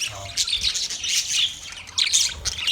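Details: Budgerigars chirping inside a master cage, a steady mass of high, squeaky twitters and harsh warbled notes in overlapping bursts.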